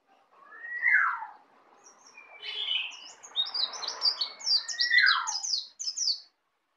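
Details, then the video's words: A young native Bali white-eye rehearses ngeplong song: a falling whistle, buzzy notes, and a run of fast, high, staccato chirps ending in another downslurred whistle. "Pleci Bali baru Belajar ngeplong"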